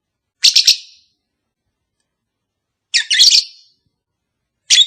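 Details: Lovebird calls meant to encourage a kept pair that has not yet mated: three bursts of piercing, scratchy, rapidly stuttered shrieks, spaced two to three seconds apart, with silence between.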